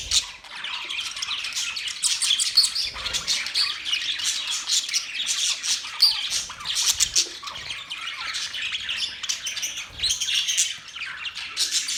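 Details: Pet budgerigars sharing a newly decorated cage produce lively, continuous chirping: shrill short tweets, scratchy squeaks and fast warbles from several birds layered together.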